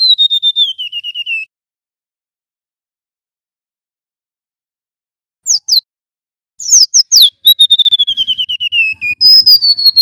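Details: A male golden-bellied gerygone in full song gives a descending string of sweet whistles, then silence of several seconds, then sharp downslurred chirps leading into another fast, gradually falling series of clear notes.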